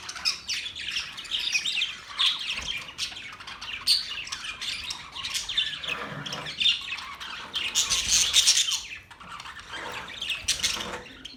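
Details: Noisy group of Australian parrots on October 10, 2023, screeching and squawking in overlapping raspy calls, peaking in a loud cluster of piercing shrieks.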